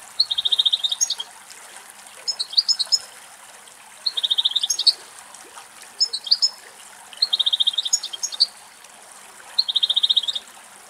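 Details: Male European goldfinch on a dried thistle somewhere in Greek nature; a short trilled phrase of quick, high, identical notes followed by a brief twitter, repeated about every two seconds.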